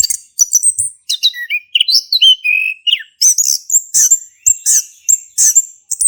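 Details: Orange-headed thrush, a male singing vigorously as a lure for a non-singing bird; high scratchy notes give way to clear falling whistles, then loud bursts of shrill, repeated chips.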